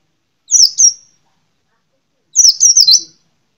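A white-eye gives two bursts of high, thin twittering notes: first a quick pair, then a run of three or four, with silence between.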